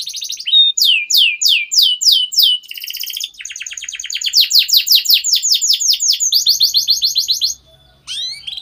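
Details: Long continuous canary tutor song meant to prompt young birds to start singing: sweeping downward whistled notes in quick series, a buzzy rattle, then dense rhythmic trills and a brief rising whistle at the end.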